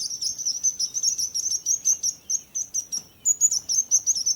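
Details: Birds sing a continuous chain of high, slurred chirps, about three per second, with a slight pitch step after a brief pause, over light background hiss.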